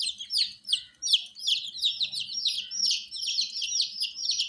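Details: Baby chickens, coloured chicks kept warm indoors, give shrill descending peeps about two or three per second, each sliding sharply downward, with several birds overlapping at slightly different pitches.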